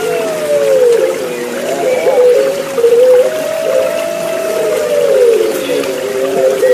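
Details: Overlapping drawn-out coos of Puter Pelung turtle doves over a constant trickle of water, a relaxation track meant to coax caged birds back into song; low tones gliding and dipping, then held level.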